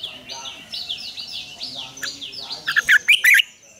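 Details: Morning song of a red-whiskered bulbul in the mature wild double-note style, recorded as training lure: background of repeated falling whistled chirps, ending in three loud, bubbling warbled notes.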